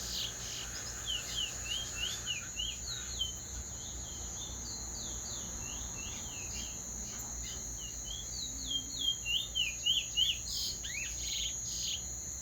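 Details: Teacher bird singing a clean roll: quick series of high slurred chirps, each sweeping up and down, clustered in bursts around seconds one to three and again near ten, over a steady high insect-like drone.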